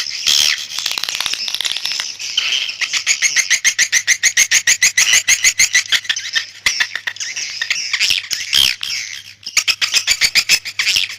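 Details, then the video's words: Swiftlet call for luring birds: a long run of fast, evenly pulsed buzzy chirps, around three a second, high and rasping, with brief breaks and busier twittering stretches. "SUARA PANGGIL BURUNG WALET"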